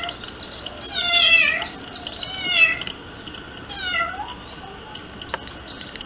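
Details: A sunbird's courtship song: high, thin, rapid twittering notes mixed with a few lower, slurred descending calls in short bursts, over faint background hiss.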